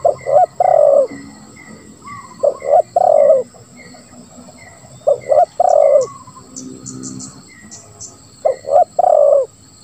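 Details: Spotted dove song in the lambung kuk 1 style with a ngeruk note: low hollow coo phrases repeated in bursts about every three seconds, with a steady high insect buzz throughout.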